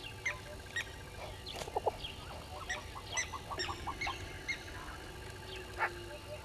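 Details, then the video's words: Wild yellow-billed hornbill at Gowrie dam waterhole, Djuma Game Reserve, Sabi Sand Wildtuin, South Africa, at 05:44 dawn on 10/02/21: a run of hollow mid-pitched clucks amid a busy chorus of high whistling and chirping birds, with steady background hiss. "Yellow-billed Hornbill"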